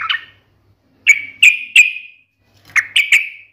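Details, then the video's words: Yellow-vented bulbul, locally trucukan, in a sharp fighting style: a brief note, then two groups of three loud clipped chips, each with a short ringing tail. "KICAU SUARA trucukan gacor NGALAS TAJAM TARUNG ini MENJADIKAN burung trucuk gacor NYAUT SEKETIKA"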